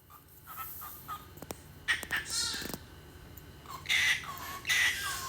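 A cockatiel gives harsh, grating screeches after a few soft, short whistled notes.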